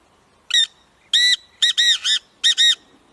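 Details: Black francolin giving a harsh, grating, harmonic-rich call: one short note, a longer rasping note, a quick triple burst, then a closing double note, all within about two seconds against a quiet background.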